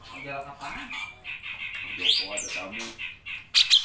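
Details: Vocal grey-cheeked bulbul delivering a long-running song; varied chattering and harsh nasal notes, a bright rising whistle midway, and sharp high piercing notes clustered at the close.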